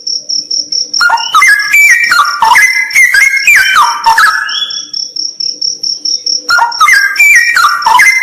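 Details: A pulsing high insect-like trill runs throughout, while a straw-headed bulbul in a cave said to be haunted sings two loud bouts of fluty, stepped whistling, separated by a two-second pause.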